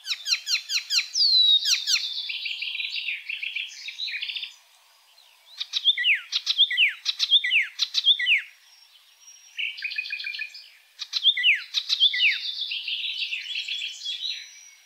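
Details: Oriental reed warbler, an East Asian migrant seen in Indonesia in the rainy season, delivering loud grating song phrases of rapid down-slurred notes and rasping chatter, separated by pauses of about a second.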